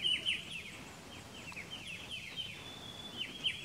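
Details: Striated bulbul (Pycnonotus striatus) at Pelling, Sikkim, India, May: quick clusters of clear descending chirps, a louder burst at the start and end, against soft background noise and a thin steady high tone.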